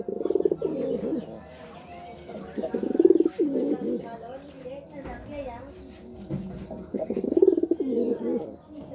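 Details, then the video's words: A pigeon courts with repeated low, purring coo phrases, each a quick series of throbbing pulses, spaced a few seconds apart over a soft murmur of background noise. "Suara Burung Merpati merayu"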